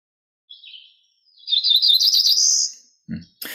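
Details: Cerulean Warbler, listed as a species of concern in New York State, singing one buzzy trill that rises steadily in pitch and lasts over a second, after a soft introductory note; a brief low thump and a noise burst follow.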